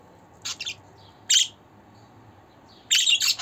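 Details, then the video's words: Budgerigar calling sounds for cheering a pet bird: a soft double chirp, a loud harsh squawk, then a dense scratchy burst of chatter at the end. "Muhabbet Kuşu Sesi, Kuş Sesi! Muhabbet kuşu ötüşü, muhabbet kuşu çağırma sesleri!"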